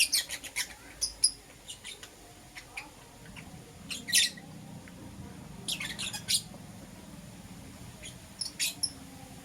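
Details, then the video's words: Lovebirds, a green personata and a yellow pastel pied, chirping in the morning: bursts of sharp, squeaky, high chirps in quick clusters, some doubled, separated by short pauses, over a low background hum. "Lovebird Chirping Sounds"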